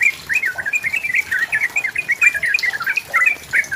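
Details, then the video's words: Yellow-vented bulbul singing to press and lure a rival: a rolling stream of slurred, liquid chirps with no pause. "SUARA BURUNG TRUCUKAN GACOR MENEKAN LAWAN UNTUK BUNYI PANCINGAN TRUCUKAN AGAR BUNYI"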